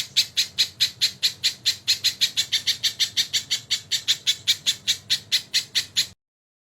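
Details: Crested jay tutor recording with kingfisher call fills: a run of harsh, squawking notes repeated steadily about four times a second for six seconds, then silence.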